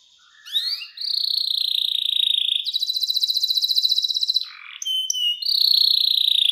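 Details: Canary with a luxurious, clear-voiced song style used as master song for young canaries to learn: sweeping whistled upslurs, a long high trill, rapid buzzy rolling trills, a brief lower note, then another sustained high trill.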